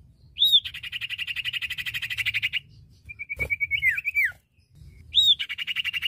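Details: Common Iora pair, male and female, in lively song: a sustained rattling trill opens with a looping whistle, followed by a short run of quick notes and a falling slur, then another whistle-led trill.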